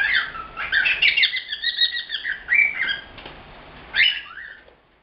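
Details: Chattering young male cockatiel, the youngest pet bird indoors, which talks without pause all day: a dense run of scratchy chirps and whistled slurs, a short silence, then one sharp rising squeak followed by a softer falling note.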